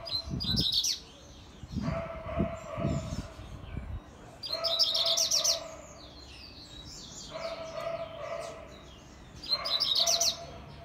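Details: Fast Grego-style song of a coleiro (double-collared seedeater): dense high trilled bursts about every four to five seconds, separated by drawn-out lower whining tones and a few low thumps early on.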